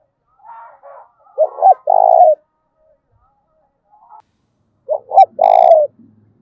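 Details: Spotted dove calling to provoke fighting, giọng thổ pha style: two phrases of paired short coos and a long trilled coo, faint murmuring between them, and a brief sharp high click during the second phrase.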